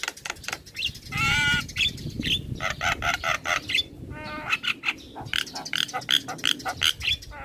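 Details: Black-winged myna, a young male in lively song for tutoring and calming stressed mynas: harsh rasping notes, nasal buzzy phrases and short whistles in rapid irregular sequence, with some low rumbling underneath.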